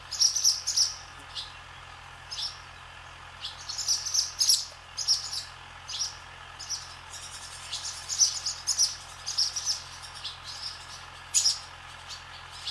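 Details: Barn swallows skimming across the sky above a swallow farm, giving high, thin twittering chirps in short clustered bursts every few seconds against a quiet, steady background.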